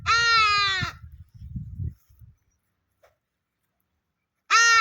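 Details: Two raucous, braying hadada ibis calls, each under a second and falling slightly, separated by a long quiet gap with brief low rumbles.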